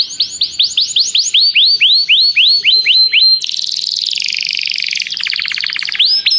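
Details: Canary song meant to call another canary to sing, used for training: quick series of rising whistled upsweeps, then a long dense buzzy roll, a rapid stuttering trill and a final upswept whistle.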